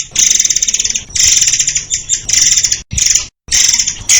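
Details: White-crowned shama song recorded as a master for training songbirds: loud, dense, rattling high trills in bursts of about a second, separated by short gaps.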